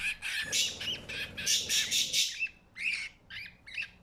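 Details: A budgerigar chick gives harsh, rapid squawking begging calls while its parent budgie feeds it.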